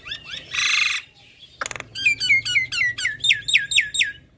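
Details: Caged female Javan myna singing a chatty song full of varied notes: a harsh buzzy burst, then a fast run of clear whistled notes that sweep down and up, repeated roughly every quarter second toward the end.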